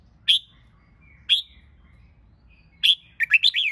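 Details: Red-whiskered bulbul song for competition training: three sharp high chips followed by a rapid, bubbling phrase of several rising and dipping whistled notes, against a soft low hum.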